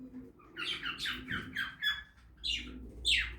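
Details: Budgerigar in a backyard aviary during feeding, giving a run of short, downward-sliding squawky chirps, about six in quick series, then two sharper harsh notes.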